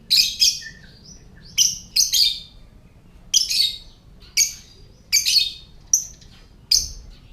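A lovebird gives bursts of sharp, high, clicking chirps in quick clusters, repeated every second or so with brief pauses between.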